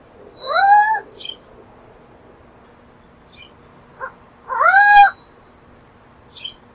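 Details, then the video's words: Burrowing owl repeating a nasal, slightly rising whine twice about four seconds apart, with soft short notes and faint high chirps in between. "Athene cunicularia - Coruja buraqueira"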